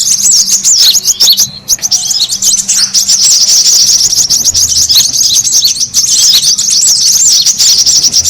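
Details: Lure recording of noisy brown-throated sunbird calls meant to draw birds in: continuous shrill twitter of rapid squeaks and slurred chirps, heavily overlapping, with one brief gap near the middle.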